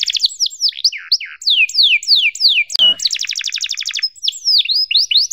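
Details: Canary tutor song for young birds learning to sing, long chirping 'cuit cuit' material: fast rhythmic descending whistled sweeps and rapid trilled rolls in a high register, with a brief click near the middle.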